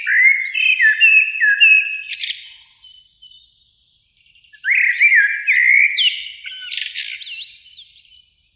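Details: Eurasian blackbird singing in a springtime beech tree by a lake at evening, one of two blackbirds; mellow fluted phrases falling between low whistles, ending in a high squeaky twitter, a pause, then another warbled phrase with thin high notes.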